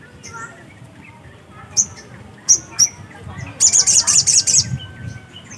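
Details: Black-capped white-eye singing actively (gacor): a few isolated, thin, very high chirps, then a quick burst of about eight sharp high notes. Steady low background rumble throughout.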